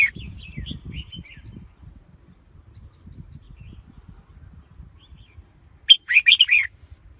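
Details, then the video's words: Lure red-whiskered bulbul for trapping wild birds: soft whistled notes at the start, then a single loud, jumbled warble near the end; steady low rumbling noise runs through most of the recording. "Tiếng chim chào mào mồi dùng đi bấy cực sát bổi"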